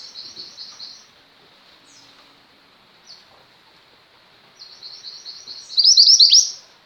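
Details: Female mountain white-eye singing actively, used as a tutor for pet white-eyes: soft high buzzy notes in a row, a pause, then a rising run of bright rapid chirps ending in a loud sharp twittering burst.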